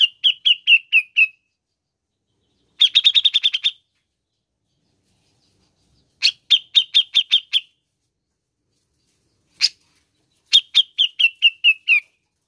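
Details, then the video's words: A grey-cheeked bulbul gives quick bursts of six to eight bright, chattering notes with pauses of a few seconds between phrases, played to stimulate other grey-cheeked bulbuls to sing; no other sounds. "PUTAR SAJA JIKA INGIN CUCAK JENGGOT ANDA GACOR"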